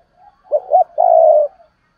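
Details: Spotted dove cooing, urging and calling styles with the double-ending coo called hai hậu: soft lead-in, two short low notes and a long even hoarse coo fading at the end.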